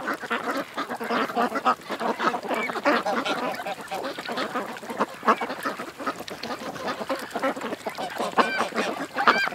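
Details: A large group of ducks at a creek fills the air with constant mixed quacks and honks, a few clearer arched calls near the end.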